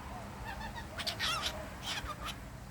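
A cockatiel talks in short, raspy, nasal bursts that imitate human words.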